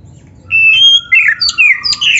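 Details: Oriental magpie-robin song recorded for training, full of fill-in phrases: long level whistles open into quick slurred notes and sharp bright chips, delivered in a lively, varied run.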